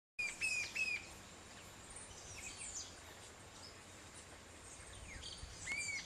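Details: Green-tailed Jacamar (Galbula galbula) in Paramaribo, Suriname, gives thin, high whistled notes in a short run of three, then a single note after a pause, with other faint bird chirps behind.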